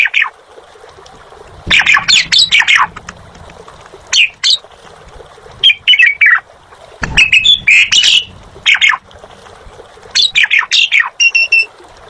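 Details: Asian pied starling (jalak suren) giving harsh, broadband squawking phrases mixed with whistled notes, in clusters every two seconds or so, with a few thuds and a steady hiss behind.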